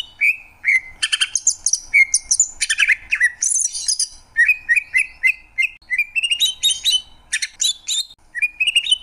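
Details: Greater green leafbird song with rasping chatter early on, then a string of short rising whistled notes climbing step by step in pitch.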